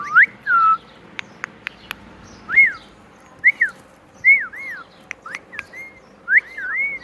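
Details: Pet talking parrot, said to repeat the word "Mitthu Mitthu"; a series of short clear whistled notes, each arching or dipping, some in quick pairs, spaced over several seconds, with a few sharp clicks between.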